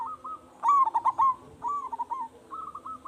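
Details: Lure call of a vocal, big-voiced local zebra dove meant to make other doves respond: one loud rapid pulsed coo run followed by softer rolling notes and a level sustained phrase.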